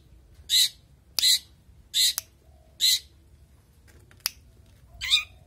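A Long-tailed Shrike gives harsh, rasping, buzzy notes, five short bursts spaced under a second apart, with a few sharp clicks in between.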